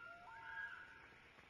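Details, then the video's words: A loon gives a brief, clear, rising tonal call that swells and holds before fading, with faint splashing water beneath. "Loons Splashing Calling"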